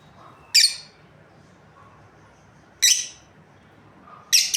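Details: Breeding pair of lovebirds giving loud, harsh chirps, three bursts spaced one to two seconds apart, each a sharp high screech with a quiet background.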